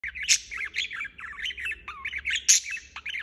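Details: Budgerigar chirping non-stop: rapid, continuous warbled chatter of short chirps and squeaks, with occasional louder sharp squawks and a few down-slurred whistles.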